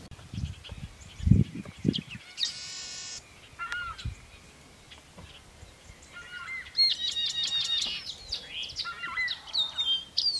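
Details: Yellow-winged blackbird (Agelasticus thilius), a bird of reedbeds near lakes and lagoons, giving a harsh buzzy burst, then short whistled notes and a run of bright, chattering calls; low thumps open the recording.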